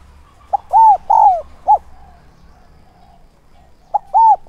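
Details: Lure spotted dove calling in 'son' voice, 'thúc' and 'gáy gọi' style, to attract wild doves. Clear rounded coos, a long downward-slurring note and a short clipped coo, then a pause before the phrase restarts.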